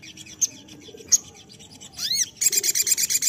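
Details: Crested jay lure call: two isolated sharp ticks, then a pair of swooping arched notes, followed by a fast, dry rattle of high clicks.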